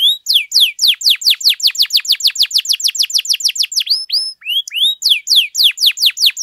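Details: Long domestic canary song for tutoring and prompting other canaries: a steady series of loud, high downslurred whistles about four per second, broken briefly by a few upswept notes, then resuming.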